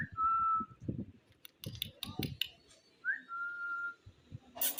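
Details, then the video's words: Ringneck parrot talking and saying foreign-language words: a long level whistled note, a run of short chattering speech-like bursts, then a second flat whistle and a harsh burst at the end. "Ringneck Parrot Berbicara dan Mengatakan Bahasa Bahasa Luar"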